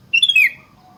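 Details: Sooty-headed bulbul song played as a lure to stir other bulbuls into singing: one loud, brief whistled phrase sliding downward, followed by a faint low whistle.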